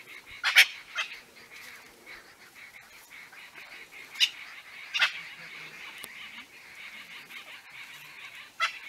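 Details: Francolins in dense bush in the Khwai concession, Botswana, in October 2015, give harsh, scratchy alarm bursts as a young leopard hunts a squirrel: two close together, a pair a few seconds later, another near the end, over insect hiss.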